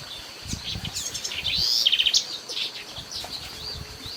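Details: Shiny cowbird (tordo renegrido) in the Argentine littoral region giving high, liquid whistles and a quick burst of four or five bubbly notes, over a faint rustling background.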